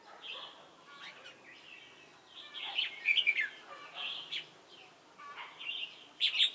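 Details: Red-whiskered bulbul decoy, Chùa Hương, 28 November 2017, during bulbul trapping. Lively whistled phrases come in bursts, several loud clustered chirps near the middle and end, with short pauses between.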